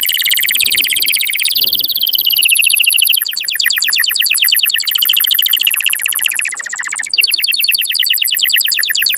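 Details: Canary song to stimulate mating, long continuous high trills, rolling and rapid, changing tour twice with a brief drop near the seventh second.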